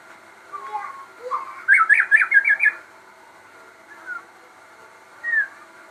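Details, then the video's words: Crossbred shama in full, persistent song: a few soft low whistles, then a fast burst of about eight bright, clipped notes in under a second, followed by two isolated whistles after a pause. "burung murai gacor hasil kawin silang"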